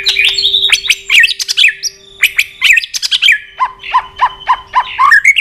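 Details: Excited, fired-up White-rumped shama, a trained bird flicking its tail on a perch and giving tạch clicks: varied loud whistles and sharp chips, then a run of evenly spaced, falling notes, over a faint steady hum.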